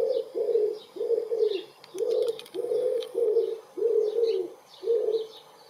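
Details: Wood pigeon filmed close up in spring, 23 April 2019, cooing while a second bird answers; steady run of low, breathy coos, roughly eight notes in rhythmic phrasing, brief clicks midway, and thin distant birdsong above.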